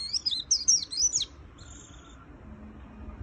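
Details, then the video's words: A short, fast burst of high, sliding twitters from a white-eye opens the recording, followed by a quiet stretch with faint high tones and low background noise. "Suara Burung Pleci Gacor Full Isian - Tiếng chim vành khuyên líu"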